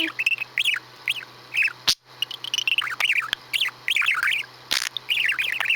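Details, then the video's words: Captive male budgerigar making his routine farty noises, recorded 23 May 2017: chattering runs of bent, rising-and-falling chirps and scratchy notes, broken by a few sharp broadband pops, with brief human talk around. "Budgie - Who's Making Farty Noises?"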